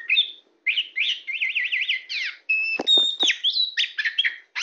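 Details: Tame Oriental magpie-robin of the black-bellied form, a prize singer perched on a person's hand, singing a varied run of clear whistles, rapid rising-and-falling warbled trills, sharp slurred notes and short clicks with brief pauses.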